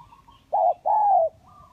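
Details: Spotted dove in a lure recording of kacuk and kampung types: two hollow coos, a brief one and then a longer drawn-out note easing downward, with a soft background chirp.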